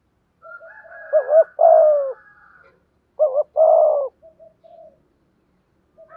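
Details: Thúc gù lure cooing of a spotted dove, played to draw wild doves into calling: soft murmured notes lead into two rounds of a doubled coo and a long falling hoot, with a faint higher warble behind.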